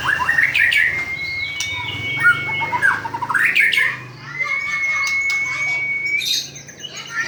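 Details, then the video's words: White-rumped shama singing, its song described as very melodious: scratchy bursts of notes broken by two long, pure, steady whistles held for over a second each, with a faint low hum beneath. "suara kicow burung murey batu"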